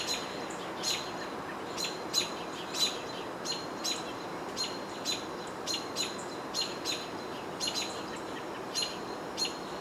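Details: American robins in Ithaca, New York, on 22 June 2023, give agitated sharp, high chips and squeaks about twice a second at a nearby Red-tailed Hawk, over steady outdoor hiss; a house sparrow possibly also present.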